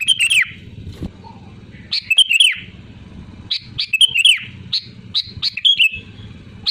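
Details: Sooty-headed bulbul singing vigorously, used to make other bulbuls sing: quick runs of bright, gurgling whistled notes and short slurred phrases coming in rapid clusters, over a low background hum.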